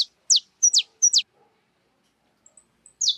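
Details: Free wild birds eating cracked corn at a feeder. Sharp, high chirps that drop steeply in pitch, some in quick pairs, then a quiet gap before one final chirp.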